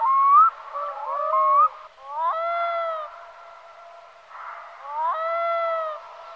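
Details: Black-throated loon calling: a quick rising, yodel-like phrase, then long sustained wailing notes that swoop up and hold steady, rich in harmonics, repeated twice with pauses between.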